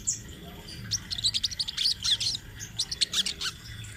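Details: Rolling, chatty song of a speckled crimson sunbird used to train other birds: rapid strings of sharp, very high twittering notes in two bursts separated by a short pause.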